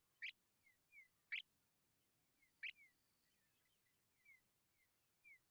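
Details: Three loud, sharp chirps from hungry Tawny pipit chicks, each followed by softer high, descending whistled notes, with scattered thin whistles in the quiet between them.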